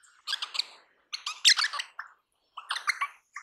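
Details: Crimson rosella, a parrot native to eastern and south eastern Australia, uttering clustered bursts of sharp, metallic, high chattering notes separated by brief pauses.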